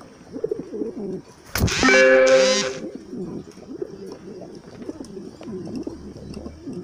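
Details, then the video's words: Modena pigeons, bronze-coloured, kept in large numbers on a farm in Comilla city, Bangladesh. Steady low rolling coos run throughout, broken after the first second and a half by a loud, harsh, harmonic cry lasting about a second. "Modena pigeons"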